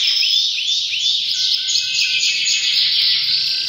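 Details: Canary in breeding season: a few looping whistled swoops, then a dense, buzzy, high trill that runs on without a break.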